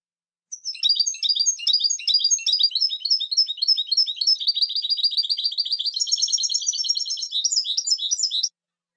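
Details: European goldfinch in sustained song for about eight seconds, a rapid liquid twittering of high tinkling notes with a steady buzzy trill-like stretch in the middle, in a clean, quiet setting.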